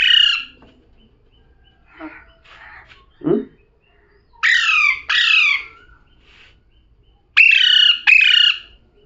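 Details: A talking parrot gives scattered softer chatters and a low grunt-like note, then two pairs of loud, rasping, downward-sweeping squawks.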